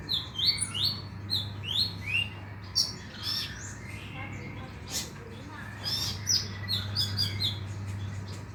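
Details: Brown-throated sunbird (konin) lure recording used to get a bird singing at night: quick high chirps and sharp downward-sweeping notes in a lively jumbled sequence, over a low steady hum.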